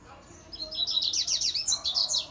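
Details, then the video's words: A double-collared seedeater sings a fast, high run of sharp chirps and short slurred notes, packed closely together for about two seconds. "Coleiro Grego Rápido"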